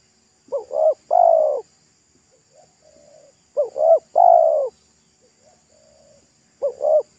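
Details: Spotted dove of the local 'pesom' style, thick and loud voice, calling by a roadside while being lured: low phrases of two short coos and one long coo, with soft quiet cooing between phrases.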